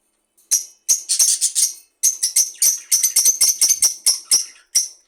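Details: Budgerigar chattering in a quick run of bright, scratchy high chirps, about three or four each second, with one short pause near the middle.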